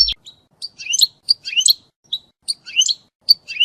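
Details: European goldfinch song for mating and for teaching goldfinches to sing: spaced bursts of sharp, high twittered chirps and short trills with brief silences between them.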